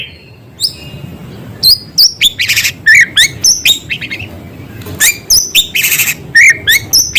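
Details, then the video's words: White-rumped shama singing lively, mixing in sounds of small birds: scattered sharp high chips, buzzy notes and short upslurred whistles in an uneven, busy sequence with short silences between phrases. "Murai gacor materi isian suara burung kecil"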